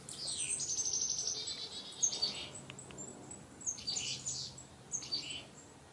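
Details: Chickadees among colorful autumn trees in fall 2021: a fast series of high buzzy notes, then scattered thin high chips and short whistles over a quiet outdoor background.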